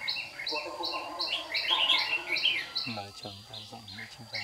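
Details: A white-cheeked red-whiskered bulbul serves as a trapping decoy in a morning singing duel, recorded 26 June 2019 with tail-flicking. It gives rapid repeated clipped chirps and a brief warble, then a low pulsing, harmonic sound takes over.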